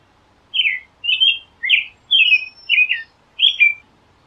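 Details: American robin song of six evenly spaced warbled phrases, each a quick slurred whistle dropping at the end, with a faint thin high tone in the background.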